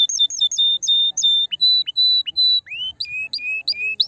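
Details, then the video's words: A canary singing to stimulate a female: paired high chirps, a series of level whistled notes each with an upward flick, then lower repeated notes rising at the tips. "Chant de CANARI pour STIMULER la FEMELLE"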